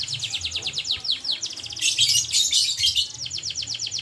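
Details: Canary singing energetically: rapid series of downward-sweeping high chirps, then a dense burst of overlapping buzzy notes, returning to quick repeated sweeps, with a faint low hum underneath.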